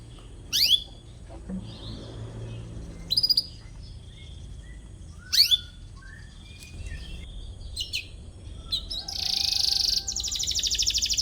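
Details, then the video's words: Atlantic canary chirping in search of a rival, used to train young canaries: sparse sharp upswept 'cuit' chirps spaced a few seconds apart, then a loud, high, fast trill and a pulsed rolling phrase at the end. "KENARI GACOR CUIT CUIT MENCARI LAWAN BIKIN EMOSI"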